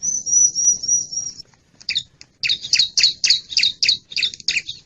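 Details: Bar-winged prinia lure call meant to draw in wild birds: a thin high trembling trill, then a fast, even run of harsh, buzzy double chirps repeated several times a second.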